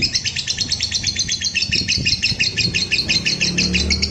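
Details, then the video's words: Lovebird in full ngekek panjang, a long trill for baiting and training other lovebirds: a fast, evenly pulsed buzzy chatter running without pause, with a low rumble in the background. "SUARA MANCING BURUNG LOVEBIRD NGEKEK PANJANG"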